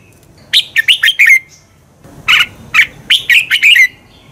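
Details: A red-whiskered bulbul sings to stimulate other birds into competition: a run of fast, liquid, slurred notes, a short pause, then a longer phrase of several rising and falling whistles.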